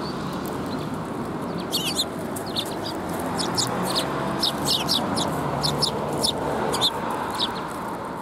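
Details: Several sparrows arriving to be fed at a Tenmangu shrine, 4 January 2021, giving brief sharp high chirps in irregular bunches against a constant loud rushing noise.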